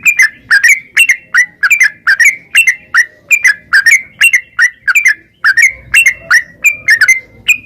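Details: Yellow-vented bulbul, a caged bird, singing to stimulate other caged birds to sing: bubbly, slightly down-slurred notes in quick pairs and triplets, repeated roughly every half second at a steady pitch, with no other sounds.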